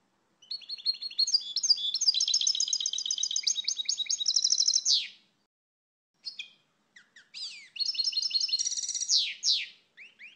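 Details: European goldfinch singing: a long run of rapid, liquid twittering notes high in pitch, ending in a buzzy flourish, then a pause and a second burst of tinkling, rolling phrases; no other sounds.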